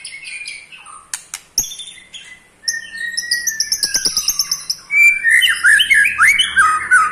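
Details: Eight-month-old male white-rumped shama of the pastol type, caged, trilling to stir up other shamas: scattered high notes and clicks, a steady rattle under a level whistle, then loud looping whistled phrases.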